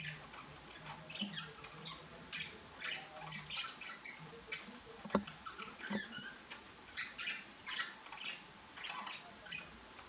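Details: A common starling guarding its food gives harsh, rasping squawks in quick bursts, about two each second, over a low steady hum; pet budgerigars make background noise.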